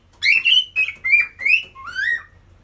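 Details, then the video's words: Cockatiel singing on top of a fridge at home while a second cockatiel chases it to stop the song; a run of six slurred whistled notes, each about a third of a second, the last one lower and rising, over a low hum. "Singing on the fridge"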